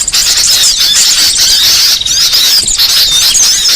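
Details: Short burst of a small-bird trapping lure: shrill, crowded twitters and sharp whistled slurs from many birds, with a few clearer piercing notes standing out above the chatter.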